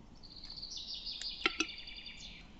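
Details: Western capercaillie male song, Lithuania: a high, scratchy, hissing grinding phrase lasting about two seconds, cut by two sharp knocks in the middle.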